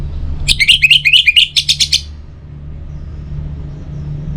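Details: Orange-headed thrush song, used morning and evening to get other birds singing: a rapid run of about a dozen sharp, high chirped notes lasting roughly one and a half seconds, then a quiet hum.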